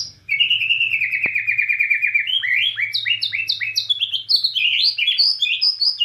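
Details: Bornean white-rumped shama singing hard in nembak cililin style: a long stream of rapid twittering that breaks into a tumbling run of high, sharp, rattled notes, continuous throughout.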